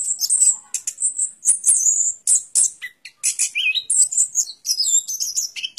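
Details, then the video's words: An orange-headed thrush delivers a lively, very high series of thin whistles and chips, with a few lower slurred notes mixed among the rapid phrases. "Suara Burung Anis Kembang"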